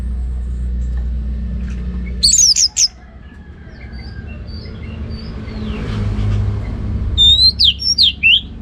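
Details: Orange-headed thrush song in the ngeplong gacor style: two bursts of sharp, high, rapidly modulated whistles separated by a quiet stretch with a low rumbling background.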